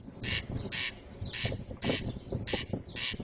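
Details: Corncrake, a male calling in summer meadows of Ukraine: harsh, dry, creaking rasps repeated roughly twice a second, like wooden planks clicking, with low rumbling background noise underneath.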